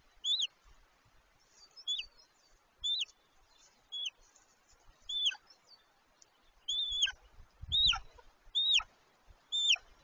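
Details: Golden eagles mating on the nest in late March 2023: thin, high yelps with a hooked, upward-curving shape, given singly at uneven gaps of one to two seconds over a quiet background.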